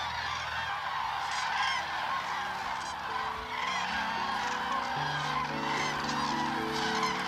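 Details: Many common cranes calling at the April 2009 dance at Hornborgasjön, Västergötland: overlapping trumpeting calls fill the upper range while gentle background music with sustained low notes plays beneath.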